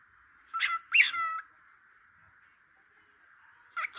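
A cockatiel gives a few short, squeaky, rising-and-falling chattering notes over a steady background hum.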